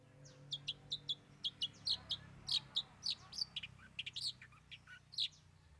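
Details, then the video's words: Cendet, the long-tailed shrike, delivering 'bongkar 3 isian' fill-in song: a rapid, varied stream of sharp chips, short whistles and squeaky notes, densely packed and tumbling. "Cendet Bongkar 3 Isian"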